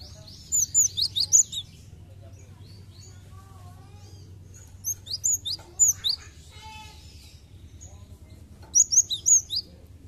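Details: Cinereous tit recording played as a lure to get birds singing actively; three bursts of sharp, high, chirpy and twittering notes near the start, middle and end, with faint thin whistles between and a low steady hum underneath.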